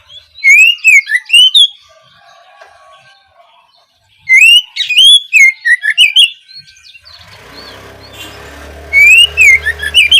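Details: Oriental magpie-robin opening song for training juveniles: three bursts of fast warbled whistles and chips a few seconds apart, a low hum and soft hiss entering toward the end.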